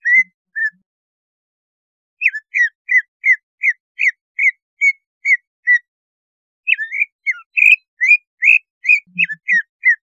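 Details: A Greater green leafbird sings runs of rich, slurred whistles at about two notes a second, broken by short pauses; the recording is meant to arouse captive leafbirds and make them aggressive. No other sounds are heard.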